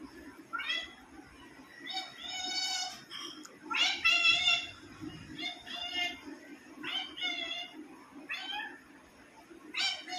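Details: An African grey parrot, mimicking, gives about a dozen nasal, meow-like calls, some rising and some falling, spaced unevenly over ten seconds, with a steady low hum underneath.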